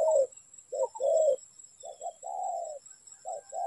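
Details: Spotted dove at a trapping setup, giving low, hollow coos in short-then-long pairs, a brief note followed by a drawn-out croon, with uneven gaps; a thin steady high electronic whine runs underneath.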